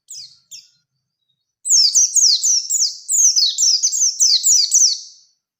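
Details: Oriental white-eye (pleci) singing 'ngalas ngerol nembak' to challenge a rival, as a trigger recording: two brief chirps, a gap, then a fast, loud string of high, sharply falling whistles lasting nearly four seconds.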